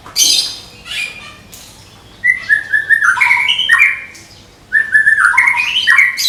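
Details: Medan-type white-rumped shama kept for song contests, singing 'tembakan' bursts: scratchy high opening notes, then two runs of quick stepped whistles, each climbing and falling, separated by a short pause.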